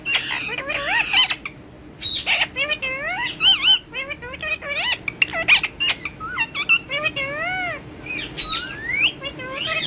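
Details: Pet ringneck parakeet chattering in Urdu and Hindi to a mobile phone: bursts of curling, speech-like harmonic syllables and high squeaks, separated by short pauses.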